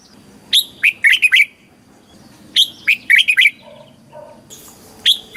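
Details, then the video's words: Caged red-whiskered bulbul in Thailand giving a southern master-style song used to rouse other birds and train youngsters; two clear rapid phrases of clipped whistled notes, a soft low hum, then the start of another phrase. "เสียงนกกรงหัวจุก สำหรับต่อ หรือ เปิดให้นกคึก"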